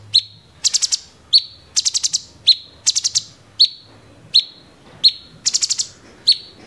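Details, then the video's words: Grey-cheeked bulbul (cucak cungkok) singing in the rapid 'tembakan' style: sharp chipped notes with a short level tail, alternating with bursts of four to five quick, high, rattling notes, repeated several times. "cucak CUNGKOK tembakan GEREJA TARUNG!!!"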